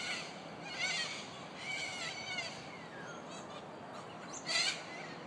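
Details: At Murdoch University in Perth, Western Australia, corellas give harsh, raspy screeches in several separate bursts, the loudest near the end, over a steady background hiss.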